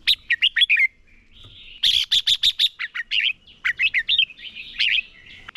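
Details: Decoy red-whiskered bulbul in competitive song to train other birds: rapid series of crisp, sharp notes and bubbling whistled phrases, nearly continuous with one short break.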